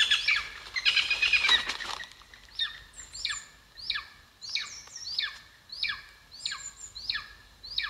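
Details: Golden eagle at its nest in Estonia, 2022, filmed by a live nest camera: a broad rustling burst opens, then high squealing calls that slide steeply downward repeat roughly every two-thirds of a second.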